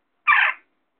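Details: A Western jackdaw calling out from a ledge gives a single harsh, squawking call, about a third of a second long, with no other sounds around it.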